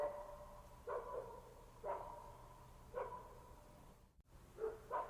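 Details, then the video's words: A lyrebird in Australian eucalyptus forest mimics a dog barking, giving short yelping barks about once a second over a steady tonal hum, with a sharp click near the end. "Lyrebird: Nature's Mimicry Master!"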